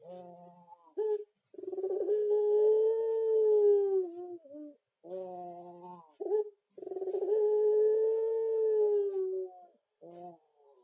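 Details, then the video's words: Puter pelung turtle dove with a coo likened to a ghost's voice: two drawn-out, low, moaning coos, each a few seconds long and sliding slightly downward, separated by short broken notes and brief pauses. "puter pelung // mirip suara hantu"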